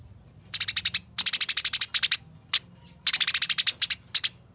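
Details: Fighting Eurasian tree sparrow used as training master: three quick bursts of about ten harsh, evenly spaced chirps each, plus a single chirp between, over a steady faint high whine.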